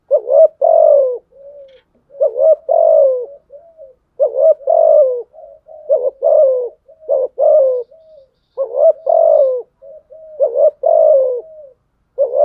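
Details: Spotted dove cooing combatively at rivals, meant to lure wild males: a steady series of husky phrases, each a stuttered note and a falling coo, often followed by a soft low murmur. The phrases repeat without pause.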